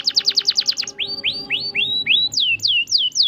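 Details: Canary singing to coax a silent canary into song: a fast series of high descending notes, then slower rising slurred whistles followed by sweeping down-slurred notes, about three per second.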